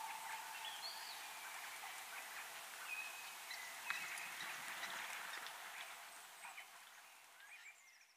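Sparrows chirp and twitter in a lively spring chorus of short, bright notes.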